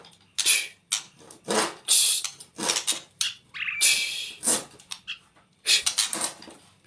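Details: White-rumped shama from the forest delivering loud harsh, scratchy bursts in quick succession, broken by a single clear whistled note midway and a few thin high squeaks near the end.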